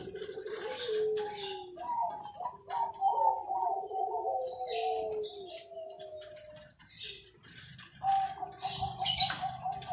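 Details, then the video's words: Zebra dove kept as a competition bird in Sidoarjo, East Java: falling coos followed by a bubbling, repeated cooing phrase, a pause, then renewed steady cooing, with scattered clicks and rustles. "Anggungan Suara Perkutut Prestasi"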